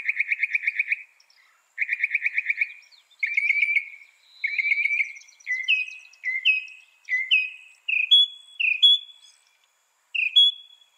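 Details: Northern mockingbird mimicking other birds: dense buzzy runs give way to a series of separate slurred notes that step gradually higher, then a brief pause and a final slurred note.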